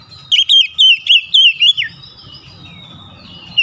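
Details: An oriental magpie-robin sings, beak open wide, in a spicy 'tembakan' style: one fast run of about seven bright, wavy whistled notes, dropping at the end, then a quiet stretch with low background murmur.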